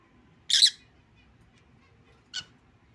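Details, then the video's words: Lutino lovebird, a captive pet bird, giving a loud, harsh, shrill screech followed about two seconds later by a shorter, quieter squawk; a quiet background otherwise. "lutino lovebird | Love birds sounds | lovebirds singing"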